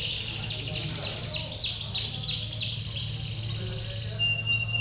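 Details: Contest canary song, males singing ngedur style at a canary song contest at a ward office in Pondok Cabe, 21 February 2016: a run of about nine descending swooping notes, then a brighter steady trill, low hum of people behind.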